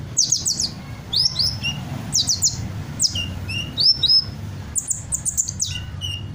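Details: Hummingbird singing busily and mimicking various other birds: rapid, high thin chirps and short downslurred whistles in quick bursts, some notes doubled, with a low steady hum underneath.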